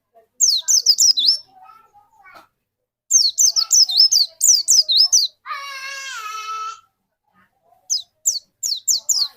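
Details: White-eye lure song for prompting another white-eye to sing: bursts of rapid, high, slurred whistles, interrupted midway by a lower, wavering harmonic wail, then more quick high notes.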